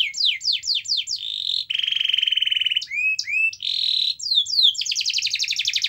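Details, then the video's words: A canary sings a lure song to encourage silent canaries to sing. Fast falling chips give way to a steady buzzy trill, then curved whistled upslurs, another buzz, and a bright rapid rattling trill to finish. "Kenari Gacor Dor Pancingan Kenari Yang Lain Agar Bunyi"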